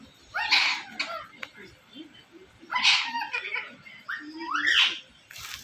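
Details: Pet Indian ringneck parrot indoors in a small room, speaking in short high-pitched bursts: three separate phrases of bright, harsh, parrot-like mimicked speech, each under a second long, with quiet pauses between.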